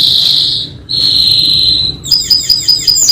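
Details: Canary singing in the Indonesian 'gacor atas bawah' style, used as training audio: two long, steady high whistles, then a quick run of sharp, repeated chirping notes.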